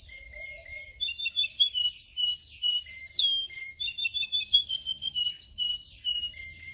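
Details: Canary singing for training other canaries: varied chirped and whistled notes, some low steady tones alternating with higher warbled phrases, sung in a lively uneven series with faint low hum behind.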